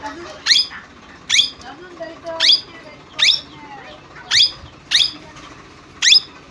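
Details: Parrot calling in a steady series of seven short, harsh, upward-sweeping screeches, roughly one per second, over a quiet background.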